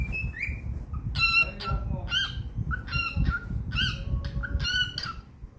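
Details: Happy pet cockatiel singing: bright harmonic chirps and short whistled notes, several per second, some rising, over a steady low rumble of room noise.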